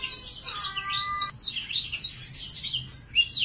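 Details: A young male F1 Yorkshire canary practises its song in a quick, high-pitched stream of twitters and warbled trills, broken early by a short steady buzzy note.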